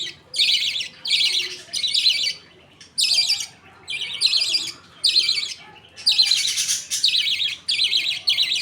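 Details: Budgerigars at feeding time: the father feeds two chicks millet paste while the mother and other birds wait. Harsh, scratchy bursts repeat at an uneven pace, about one per second, with a longer, louder run near the end.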